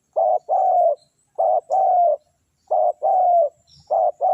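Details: Spotted dove calling to lure wild doves: loud, close, mellow low coos in paired notes, a short one then a longer falling one, repeated three times in quick succession.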